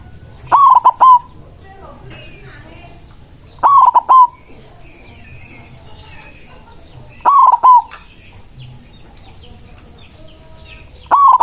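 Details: Steady rival-calling song of a white zebra dove: a loud stuttered coo phrase repeated about every three and a half seconds, four times. Light chirping from other birds runs underneath.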